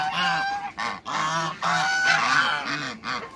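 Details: A pair of large African geese in a backyard with other waterbirds, giving loud, nasal, harmonic honks in near-continuous overlapping runs, with brief gaps between bursts.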